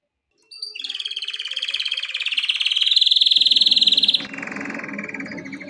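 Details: Male canary singing for training: a long, steady, rapidly pulsed trill that swells louder and rises slightly in pitch over three seconds, then a lower rattling phrase with a muffled low background hum.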